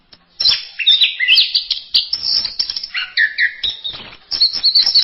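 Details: Orange-headed thrush delivering a masteran song of learned phrases: a dense run of high twittering and sweeping whistles, then a lower slurred phrase and a final burst of rapid chirps.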